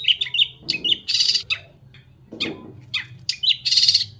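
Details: White-rumped shama in energetic song: rapid high whistles and chips alternating with loud harsh buzzy rattles, phrases coming in bursts separated by short pauses, over faint low-pitched background noise.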